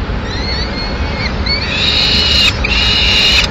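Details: Female peregrine falcon bringing a pigeon to the nest in Madrid, 6 May 2016, giving nasal, whining wails: two short rising-and-falling notes, then a long, harsh, sustained wail, over a steady low rumble.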